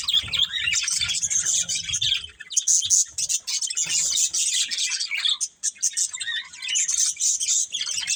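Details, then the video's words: Several budgerigars chirp and warble continuously, a busy high twitter with quick squeaky notes, some low thudding in the first two seconds. "Cute Budgies Chirping Sounds"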